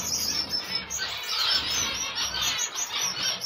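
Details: Gouldian finch chicks begging while being fed: a dense, continuous wash of high, hissing, buzzy chirps from several young birds, rising and falling in short pulses without pause.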